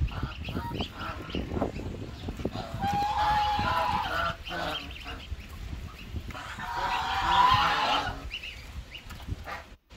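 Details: Goose with goslings; two drawn-out honking calls, the second loudest, rise out of a busy background of rustling, knocks and scattered peeps.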